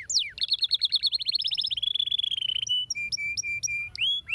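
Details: Canary singing as a stimulus for silent canaries. A rising rapid trill becomes a smooth steady rolling trill, followed by about five flat, evenly repeated whistled notes and a final upswept note.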